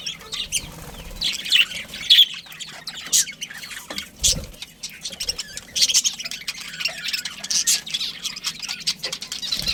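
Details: Budgerigars, a breeding pair in a colony, chirping: scratchy, overlapping chatter with sharp squawks and quick chirps. Several birds call at once against a steady background rustle.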